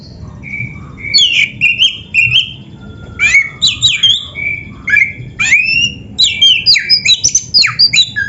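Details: Oriental magpie-robin delivering rich, varied song meant to train captive birds: rapid strings of whistled, chattering and sharply slurred notes, with phrases changing constantly and hardly any pauses.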